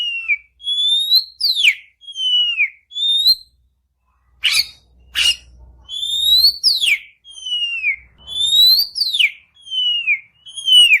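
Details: Oriental magpie-robin (kacer) singing long phrases used to make a silent bird answer. Clear whistled notes sliding downward repeat every second or two, with brief sharp clicks and a faint low hum in the middle.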